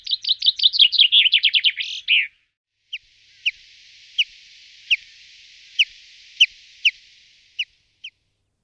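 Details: Common chaffinch (Fringilla coelebs) singing a bright, fast series of high notes that descends and speeds into a terminal flourish, then giving short, sharp single calls spaced roughly every half second.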